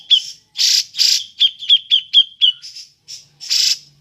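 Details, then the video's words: Ngepik calling of a grey-cheeked bulbul, used as a lure for other birds: broad harsh squawks alternating with a steady row of sharp, evenly spaced high 'pik' notes. "Burung cucak jenggot ngepik cocok untuk pancingan"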